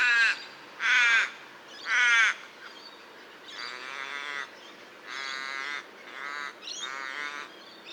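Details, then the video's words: Common raven calling repeatedly: three strong, harsh caws roughly a second apart, then four longer, buzzier, slightly quieter calls in a steady rhythm. "Raven Sound | Mysterious Calls of One of Nature’s Smartest Birds"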